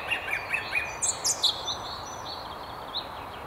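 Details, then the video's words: High in a treetop near Haddington, by the River Tyne, a song thrush sings four quick repeated notes, then three sharp high ones, with quieter notes fading afterward. "Song Thrush"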